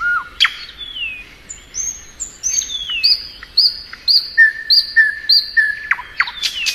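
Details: Spring song of a thrush nightingale built from drawn-out, clear high whistles repeated about twice a second, with lower sliding notes mixed in.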